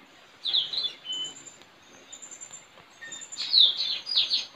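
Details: Straw-headed bulbul kept as a decoy, recorded outside a village house on 4 April 2021 while competing with a neighbour's bird; two bursts of high descending chirps separated by quieter thin whistles over soft background hiss.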